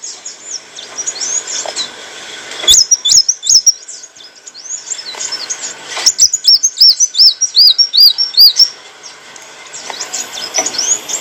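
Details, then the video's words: Olive-backed sunbird song, used as tutor material for cage birds: thin, very high twittering notes, then a quick run of about eight clear arched whistles near the middle, with faint ticks and clicks between phrases. "kicauan burung kolibri wulung - suara jernih untuk masteran & pancingan"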